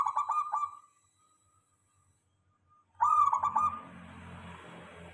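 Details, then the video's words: Zebra dove of a local strain singing as a lure for other doves: a quick, stammering cooing phrase, a pause, then another phrase followed by steady hiss. "Suara perkutut lokal.dijamin semua perkutut langsung nyaut ramai"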